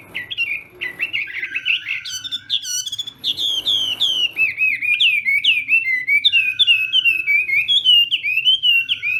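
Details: Chinese hwamei singing as morning training for song contests: a loud, varied stream of whistled and slurred phrases, repeated in fast, rhythmic runs over several seconds.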